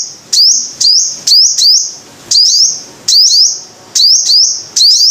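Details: Sunbird, locally called the five-coloured sunbird, singing: high, thin squeaky notes in short bursts of one to three, each a sharp upsweep with a twisting tail, repeated at irregular intervals.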